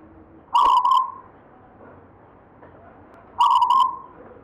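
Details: Local wild-strain zebra dove singing in 'gayer' style, a bird handed down from a grandfather: two soft cooing phrases about three seconds apart, each opening with a sharp click. Faint steady background hiss.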